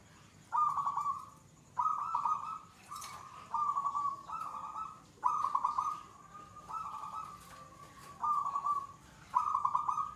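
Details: Zebra dove (perkutut) in gacor, the third song stage of a settled, unafraid bird with long bouts: burbling trilled coos near one pitch, each about a second long, repeated every second or so over a low background hum.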